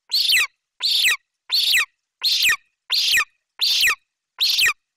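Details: Bucovina golden eagle youngster, perched near the nest, screaming as its mother brings a Eurasian magpie; seven strong, grating, high-pitched cries with falling tails, spaced evenly about every 0.7 seconds, with a quiet background.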